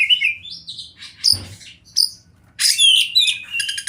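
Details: In wild river and forest habitat, an Oriental magpie-robin gives a champion-style song: rising whistles, isolated sharp chips, then a loud scratchy burst ending in a high buzzy trill.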